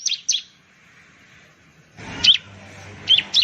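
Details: Ciblek, the bar-winged prinia of Indonesia, sings a few high, sharp chirps: a quick pair at the start, then after a quiet gap, scattered bright notes against a faint low hum.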